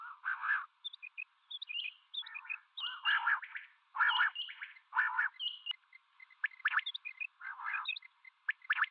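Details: Common quail, male and female calling: a continuous jumble of harsh buzzy notes, short sharp pips and high double chirps that overlap throughout.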